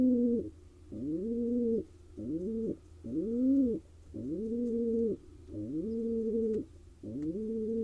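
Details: A male pigeon courting a female inside a wild barn owl, pigeon and myna nest box in Israel; a series of drawn-out rising-then-level coos, seven in about eight seconds, each around half a second to a second long, in a small enclosed space.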